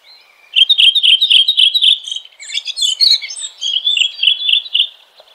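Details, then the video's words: Red-throated thrush singing in nature: a fast run of short, bright repeated notes, about four per second, then a jumbled warble of twittering notes and another rapid repeated series. "Red Thrush Singing.(Turdus ruficollis)."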